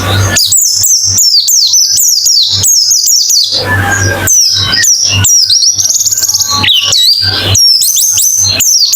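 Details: White-eye therapy song: quick series of piercing high chirps sliding downward, delivered in energetic clusters with brief pauses, one short noisy patch, low hum throughout.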